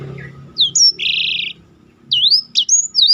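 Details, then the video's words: Black-throated canary in roll song for contest-bird tutoring: a high whistled slur, a flat buzzy trill held about half a second, then looping rising-and-falling whistles after a brief pause, low hum underneath. "biar kecil suaranya mahal roll istimewah"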